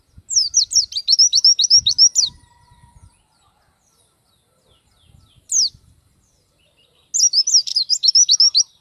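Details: Lively pleci, the Oriental white-eye, delivering its repertoire for training other birds: two bursts of quick, high, twittering whistles roughly four notes per second, separated by a lone downslurred note and near silence, with faint low thumps.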